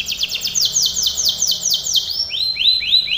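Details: Canary in training song delivering a run of clear downward-sweeping notes about three per second, then shifting to lower, rising, upturned syllables.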